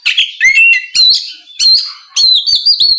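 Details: Oriental magpie-robin (kacer) song aimed at provoking a rival: short bursts of whistled, rising and level notes mixed with rasping chatter, roughly every half second.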